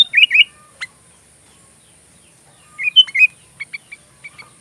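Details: Sooty-headed bulbul song, recorded as training material for magpie robins: short bubbly whistled phrases near the start, a lone sharp note, then a burst of warbled notes and scattered brief chirps, with a faint steady high whine behind.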